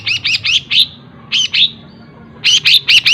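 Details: Long-tailed shrike song filled with imitated phrases of other birds, fast and tightly linked: a burst of four sharp chirpy notes, a pause, two more notes, then five quick chirps in a row.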